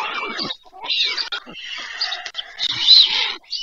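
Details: White stork chicks at a nest in Pyriatynskyi National Nature Park, Poltava region, Ukraine, on 21 July 2024 in the evening around feeding time, give harsh, wheezy, hissing begging calls in near-continuous bursts, rising and falling in loudness over a few seconds.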